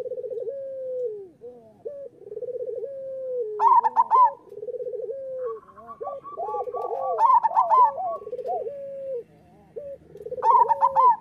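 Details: Local zebra doves singing, used to train doves that are reluctant to sing: rolling purred trills and three bursts of bright high coos, with another dove's long even trill layered in.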